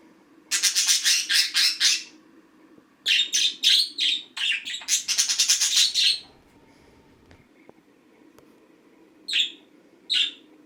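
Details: Green pet budgerigar's daily routine: long, rapid, rhythmic runs of harsh buzzy pulses and chirps, several bursts of chatter, then silence broken by two isolated sharp chirps, with quiet indoor hum.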